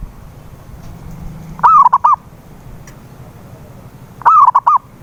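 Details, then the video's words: Zebra dove (perkutut), played as a lure to coax a silent dove into singing: two short, quick phrases of bubbling, clipped coos, each about half a second long, separated by a pause of over two seconds, over a low steady hum. "PANCINGAN SUARA PERKUTUT BISU"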